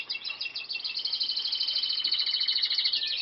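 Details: Canary song delivered as a continuous fast trill, bright and high, with rapid pulses rolling steadily for over three seconds and rising slightly in intensity toward the end; no other sounds intrude.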